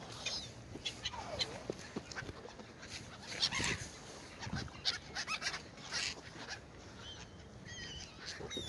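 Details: Seagulls eating bread on the Oder River in Frankfurt (Oder), Germany, giving scattered short harsh calls, some overlapping, amid frequent clicking and splashing feeding noises.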